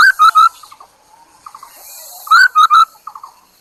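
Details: Chinese hwamei used as a decoy bird to lure others: loud triple whistled phrase, first note rising then two level notes, followed by soft low chattering notes, then the same loud triple whistle returns after about two seconds.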